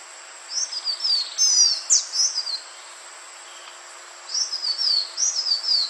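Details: Green iora, a forest bird of lowland, secondary and mangrove forest, played to lure birds: two bursts of high, thin whistled notes, each a run of short downslurred and rising slurs, separated by a pause of nearly two seconds.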